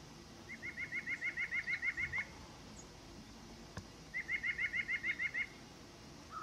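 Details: White-breasted nuthatch song: two rapid bursts of about a dozen identical nasal notes, evenly spaced, each burst lasting under two seconds with a pause between. A single click falls in the gap.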